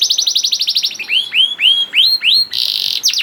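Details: Young canary (kenari paud) singing to lure other canaries into song: brisk rolled trill, then five slow upswept whistles, a brief buzzy burst and a final falling note.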